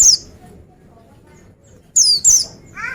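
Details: Oriental white-eye uttering sharp, high, descending whistles, one alone and then a close pair after a pause, followed by a short lower buzzy note.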